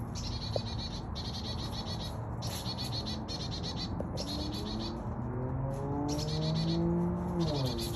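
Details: Chickadee calling with a very small but annoying sound, a series of quick buzzy note bursts separated by short gaps, with a low droning background and faint lower tones late on.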